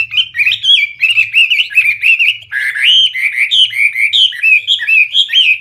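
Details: Hwamei in full, loud, clear song, pouring out unbroken melodious whistles that rise and fall, phrase after phrase, with a faint low hum beneath.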